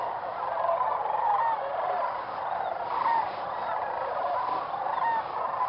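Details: Whooping cranes at their roosting site in early morning around sunrise: a dense, continuous chorus of overlapping bugling, honking calls from many birds, with clearer rising call notes standing out every second or so.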